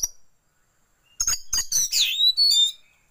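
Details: Loud Oriental magpie-robin lure song for training birds to open the tail. Sharp chipping notes run into a sweeping, falling whistle and clear high whistled ends.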